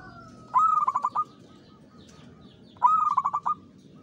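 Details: Local zebra dove singing as a trapping lure in the Mataram pakem rhythm. Two matching phrases about two seconds apart, each with a clear first note followed by a fast, stuttering series of coos.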